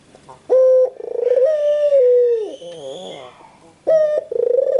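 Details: White puter dove cooing: a loud, clear, slightly rising tone held for about a second, then a long drawn coo that slides downward, a wavering quieter phrase, and a fresh coo starting near the end.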